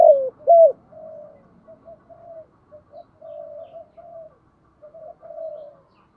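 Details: Decoy spotted dove, 'giọng thổ' style song for attracting wild doves: two loud rounded coos open, followed by a long string of soft, low, steady cooing notes.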